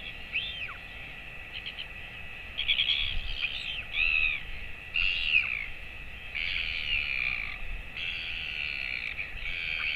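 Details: Royal albatross chick 217 days old being fed by its father on 28 August 2024. Scattered arched squeaks give way to longer, harsh, buzzy wheezing bursts in quick succession over steady hiss.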